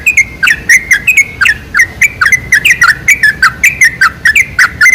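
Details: Sooty-headed bulbul song used as a lure to attract bulbuls, with dense chattering phrases of clear, slurred chirps repeated rapidly, almost two per second, loud and steady throughout.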